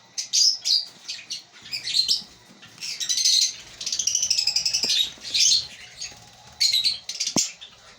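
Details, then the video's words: Lovebirds in a breeding colony produce piercing, twittering chatter in uneven bursts, some notes wavering in pitch, with a sharp click near the end. "Lovebird Singing & Chirping Sounds"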